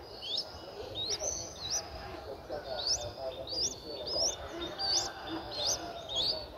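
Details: In Ubon Ratchathani, Thailand, on 11 April 2023, nine-day-old Streak-eared Bulbul chicks give sharp upswept squeaks, roughly one to two per second, steady and high over faint background noise.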